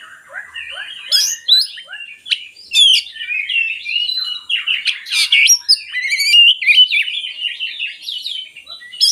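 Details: Oriental magpie-robin song intended to lure lazy birds into singing: soft ticking notes open into a long, energetic stream of whistles, trills and harsh chirps.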